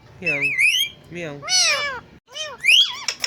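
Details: A parrot talking on a bird stand makes speech-like wavering harmonic phrases in three loud bursts, with bending pitch and a brief silent gap before a final rising call.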